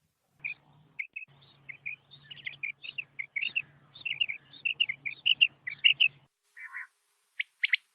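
A desert quail gives quick, high chirping notes in rapid, uneven bursts, ending in a few sharper clipped calls, over a faint low electrical hum.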